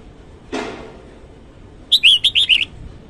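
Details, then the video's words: Red-whiskered bulbul singing its morning song: a soft thud, then a quick burst of five bright, warbled notes in under a second, with little background noise. "Chào mào hót sáng"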